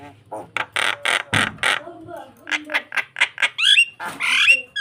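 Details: Starling singing to lure and provoke another bird while nodding, a run of harsh, rasping bursts repeated several times a second, ending in bright whistled upslurs and a squeaky flourish.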